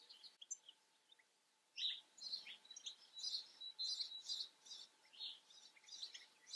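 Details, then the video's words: European goldfinch from the Eifel, giving a lively run of high, rapid twittering and tinkling notes after a brief near-silent start, with a faint steady hum underneath. "European Goldfinch. Stieglitz"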